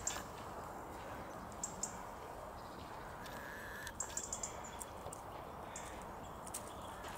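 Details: Eurasian treecreeper (Certhia familiaris) in Tivoli landscape park, Ljubljana, Slovenia, 10 January 2022, giving very high, thin, hissing 'srree' notes in short clusters, nearly lost under a steady roar of city noise.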